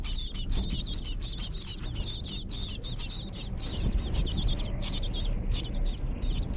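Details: Nestling birds in a nest inside a hog barn, begging as their mother feeds them and cleans the nest: rapid, high, thin chirps in dense bursts, with a low rumble of barn noise underneath.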